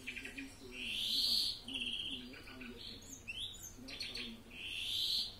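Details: European greenfinch giving a Florya mixed song, with long drawn-out buzzy wheezes alternating with clipped trills and a few quick slurred chirps, ending in another extended wheeze, over faint low-pitched background sound.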